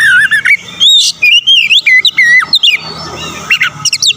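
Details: An Oriental magpie-robin sings to rouse rival birds, pouring out bright, wavering whistles that climb and dip, broken by short sharp chips, with a low hum underneath.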